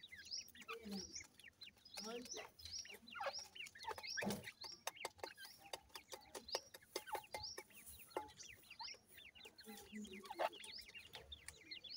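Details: Grey francolin chicks feeding together produce a lively stream of quick high chirps and peeps, many overlapping, mixed with frequent sharp pecking clicks and soft lower clucks.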